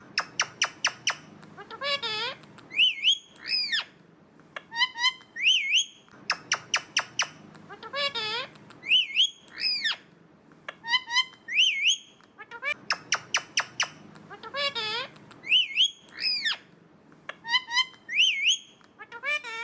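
An Alexandrine parakeet gives loud harsh squawks mixed with sharp rising and falling whistles.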